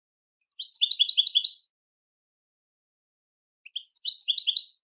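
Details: European goldfinch song: two bursts of rapid, tinkling twittered notes, each about a second long, separated by nearly two seconds of silence, with no other sounds.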